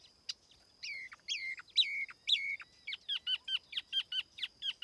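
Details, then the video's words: A tiểu mi laughingthrush sings its lure song cleanly. Several slurred, falling two-part whistles come first, followed by a brisk train of short, clipped notes repeated about four times a second. "TIẾNG CHIM TIỂU MI MỒI KHÔNG TẠP ÂM CỰC CHUẨN"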